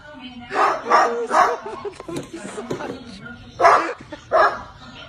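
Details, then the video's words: Pet parrot barking like a dog: a series of loud, harsh bark-like bursts, several in a cluster and two more after a short gap, with softer vocal sounds in between. "PARROT BARKING"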